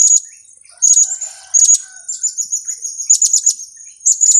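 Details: Kiak-type calls of a blue-crowned hanging parrot, used for luring the birds into traps: bursts of piercing, very high chirps in quick clusters, separated by brief pauses, with a soft buzzy undertone and faint lower notes between.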